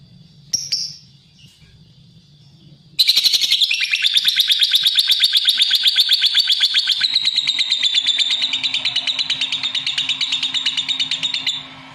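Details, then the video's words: Lovebird singing: after a sharp squeak and a pause, a long, loud stream of fast buzzy chatter, evenly pulsed and high, holding for about nine seconds with a faint steady hum below. "Suara Kicau Burung LOVEBIRD"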